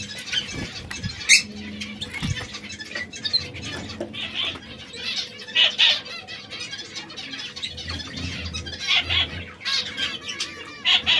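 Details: Three canaries, red, yellow and brown, exotic songbirds that occasionally squabble; a busy stream of overlapping high chirps and buzzy notes runs throughout with scattered louder peaks and a faint low rumble.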